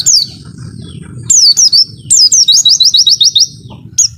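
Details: White-eye training song in the long 'wit-witttt' style: piercing downslurred whistles, pauses between phrases, then a fast series of about nine bright clipped chirps, with a soft background hum throughout.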